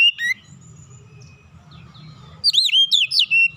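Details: Oriental magpie-robin singing to provoke other birds: a brief whistle at the start, then a long pause before a rich run of loud, looping whistled notes rising and falling quickly.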